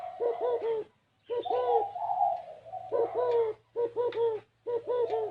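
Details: Cooing spotted dove, 'gáy gù kích bổi' style: clusters of short, bowed low coos alternate with a longer smooth rolling coo, separated by brief silences, over a faint low hum.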